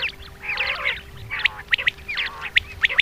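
Common quail: sharp, clipped notes in quick bursts of two or three, with a softer chattering run at the start and a faint steady hum underneath.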